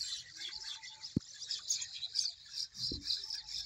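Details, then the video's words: A dense morning chorus of high, twittering bird voices chatters without pause in a desert area of Punjab, Pakistan, with a couple of low knocks or thumps underneath. "Morning Bird's Sound |The Best Bird's singing"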